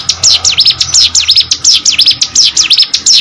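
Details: Hill prinia in full, energetic song, pouring out sharp high notes that swoop down and back up, repeated roughly eighty-five times a minute in a steady, insistent rhythm, recorded close with little background.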